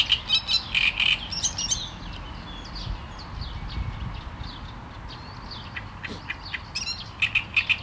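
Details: Great reed warbler giving bursts of rough, repeated chattering notes at the start and again near the end, with a quieter gap of faint background calls in between.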